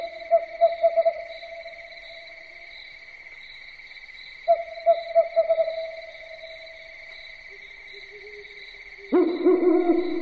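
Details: Owl at night giving repeated quick bursts of short mid-pitched hoots, with a fainter low note between them and a louder deep hooting run at the end, over an unbroken high whine.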